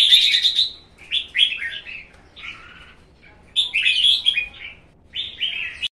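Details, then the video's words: A young red-whiskered bulbul, about 1.5 seasons old, hopping energetically, sings competition song: five bright, bubbling phrases of warbled, slurred whistles, each about a second long, with short pauses between them. "CHÀO MÀO | Cóc 1,5 mùa nhảy lực hót đấu"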